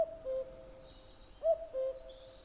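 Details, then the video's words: Two cuckoo calls in a row, each a falling pair of notes, the first slightly higher and louder than the second, against quiet background with faint high birdsong. "Kuckuck | cuckoo | cuculus canorus | Gesang"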